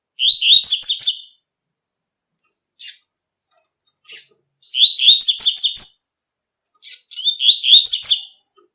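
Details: Tui-tui style song of a double-collared seedeater in nature: fast, twittering warbled phrases alternating with short, sharp single chip notes, repeated several times over a quiet background.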